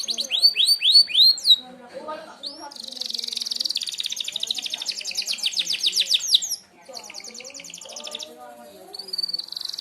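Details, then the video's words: Merlok canary giving a sharp-shot song for mastering other birds: loud downslurred whistles about five a second, then a long buzzy high trill, a brief pause, and more rapid trills. "tembakan tajam kenari merlok"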